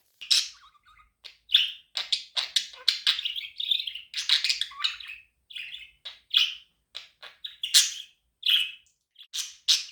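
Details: Pet budgie chirping, a sound said to help a lonely budgie become active; near-continuous chatter of sharp high chirps, clicks and scratchy warbles in rapid irregular bursts.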